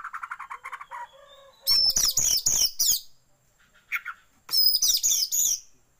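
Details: Oriental magpie-robin lure song meant to make a kacer spread its tail, mixed with white-rumped shama song: a soft low chattering run, then loud high whistled and buzzy phrases in two bursts separated by a short pause.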